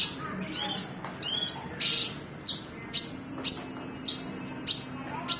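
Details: Branjangan or Javan bush lark: a few arched raspy notes, then very high sharp chirps repeated at regular intervals of about half a second.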